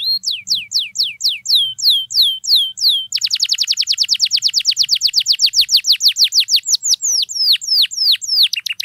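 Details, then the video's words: Canary in long energetic song used to prompt silent canaries: spaced falling whistles at first, then a dense rapid trill of sweeping notes, slowing into varied chips; faint low background hum. "KENARI GACOR MANTAP DURASI PANJANG, AMPUH BUAT PANCINGAN KENARI DIAM LANGSUNG RESPON"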